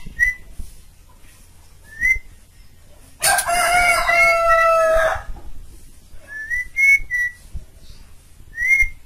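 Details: Asian pied starling singing energetically, a recording meant to teach other caged birds: brief rising whistles, then a loud two-second harsh, rich strained phrase with wavering tones, followed by more clear upslurred whistles.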